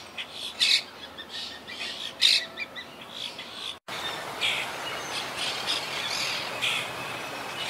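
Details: Quaker parakeets from a wild colony in trees, recovering after hurricane Irma in 2017; a few harsh squawks in the first half, then a sudden cut to a noisier stretch with fainter scratchy calls over a hissing background.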